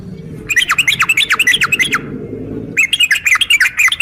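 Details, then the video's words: 'Uplik tarung' calling by a female sooty-headed bulbul to make males reply: quick series of downslurred, whistled chirps, about five a second, in two runs split by a short break, over a steady low background hum. "trucukan gacor SUARA UPLIK TARUNG ini AMPUH bikin burung trucuk gacor NYAUT EMOSI SEKETIKA"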